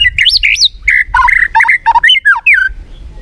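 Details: Murai batu, the white-rumped shama, sings a lure phrase of loud looping whistles, dropping slurred notes and brief harsh chatter, delivered fast and clear.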